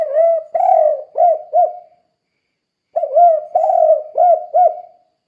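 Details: Spotted dove, called tekukur locally, calling in a repeated 'kuk' style used to train other doves to sing: two bursts of low, rounded coos, each a long note followed by quick short coos, separated by a pause.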